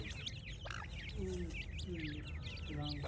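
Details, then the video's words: Francolin chicks peeping rapidly, high looping notes repeated without pause, while faint low drawn-out tones slide underneath and a steady low hum fills the background. "تیتر کے بچے اور مست آواز"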